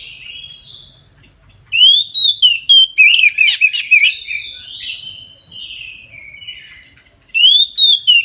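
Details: Oriental magpie-robin in full midday song, played to coax other magpie-robins to sing; loud sequences of arched whistles and scratchy notes, about ten rapid notes from two seconds, quieter warbles, then another loud burst near the end.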